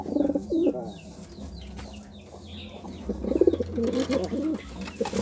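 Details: A pigeon courting with low, burbling coos, one phrase at the start and a longer rolling series after a quiet gap, over a faint low drone.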